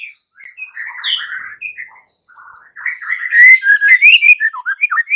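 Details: White-rumped shama fighting song, meant to draw other shamas into singing: soft scattered whistles build into a loud, continuous warble of rising and falling notes with bright high flourishes.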